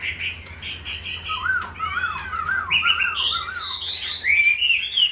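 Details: Hand-tamed Chinese hwamei in a cage, kept as a singing and fighting bird, delivering looping whistled notes that rise and fall, climbing to higher, brighter phrases toward the end.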